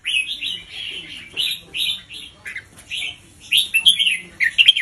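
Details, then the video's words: Red-whiskered bulbul singing its doubled teaching song, played to chicks and to rouse other birds; short whistled phrases come in quick succession, slightly rising and falling, with a soft low hum underneath. "สุดยอดนกครูเบิ้ลเพลง 3 อาชีพ เบิ้ลช้าๆ เบิ้ลเว้นช่องไฟชัดเจน เปิดสอนลูกนก ยั้วนกฟังนกคึก"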